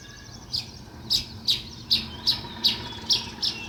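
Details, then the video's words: Sparrow chirping outdoors: a steady series of eight short, sharp high chirps, spaced about half a second apart, over a quiet background. "Natural Sparrow View and Sounds | Chirping Sounds"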